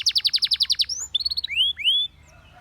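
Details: A Spanish Timbrado canary song used for training canaries: a quick pulsing trill gives way to a short chattering run and two long rising whistled slurs, then quiet.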